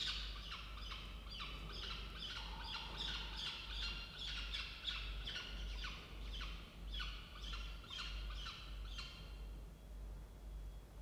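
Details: Peregrine falcon family in a nest box inside a water tower, Charles Sturt University campus, Orange, New South Wales, Australia, 16 October 2024 at 07:21. Dense, rasping squawks rapidly repeated for nine seconds, then stopping; background hum throughout.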